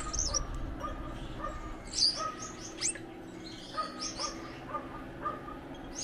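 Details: Pair of Gouldian finches: clusters of squeaky high notes and sharp sweeps, mixed with evenly spaced soft mid-pitched peeps and steady background hum.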